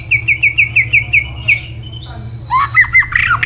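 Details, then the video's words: White-rumped shama in competitive song: a fast string of identical short whistled notes, about three per second, then a pause and a burst of varied rich warbles and slurs, with a steady low hum behind. "chòe lửa căng lửa bắn giọng dây,nhiều giọng"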